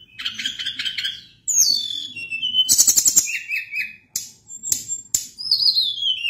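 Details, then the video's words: Sunda blue robin (tledekan gunung) singing actively in a long rolling song: a varied run of high whistled phrases, some sliding downward, some trilled or rattling, with short gaps between bursts and a faint low rumble beneath. "Ocehan Tledekan Gunung gacor Ngeri Bikin Tledekan Apapun ikut Gacor Ngerol Panjang"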